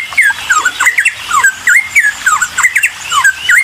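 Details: Bulbul song used as a lure to provoke other birds into responding: rapid, varied whistled notes, sharply rising and falling slurs in quick succession with brief squeaky accents, bright and busy throughout.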